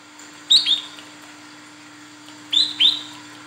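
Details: Two pairs of high, thin, falling whistled notes from a female Olive-backed Sunbird calling for a male, used as a lure, the pairs about two seconds apart, with a faint steady hum.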